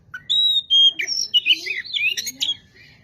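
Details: Kacer (Oriental magpie-robin) singing energetically as a lure to excite other magpie-robins: clear high whistles, first a short rising note and then a held pure tone, followed by a rapid jumble of varied twittering phrases, with a faint low murmur beneath.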